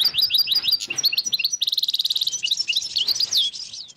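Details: Dozens of wild European goldfinches in northern Morocco, 2022, keep up loud continuous twittering with a fast repeated trill and slurred high notes, over a faint background hiss.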